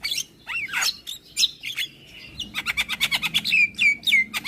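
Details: Morning song of a Javan pied starling that sets neighbouring starlings answering: slurred whistles and harsh squawks, then a quick burst of repeated chatter and bright rising whistles, over low background rumble.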